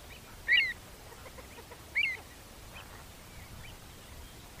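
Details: Pied avocet, field recording, giving two short clear piping notes about a second and a half apart, each an arched whistle, with a third starting at the end over a quiet hiss of background.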